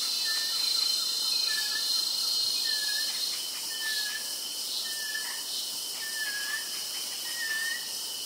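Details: One of two Red-throated Caracaras at an Amazonian rainforest edge in the Serranía de la Macarena foothills, Vista Hermosa, Meta, Colombia, gives short, slurred, falling notes about once a second over a steady insect hiss, a call somewhat unlike the usual, possibly from an immature bird.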